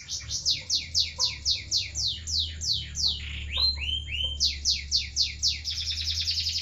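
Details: Canary singing in the seri loper style: a fast, steady run of sharp, high, descending sweeps about four per second, broken midway by a few lower rolling notes, over a constant low hum.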